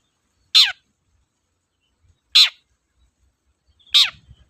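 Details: Long-tailed shrike uttering three loud, rasping, downslurred calls roughly every one and a half seconds, used as a lure to get quiet shrikes singing; otherwise nearly silent.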